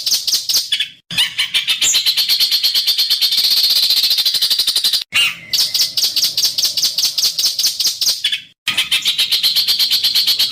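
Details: Bird song used as masteran for contest birds, in harsh style with close-packed bursts: rapid, rasping high notes pour out in long runs broken by three brief silences, with a sustained whistled note near the middle.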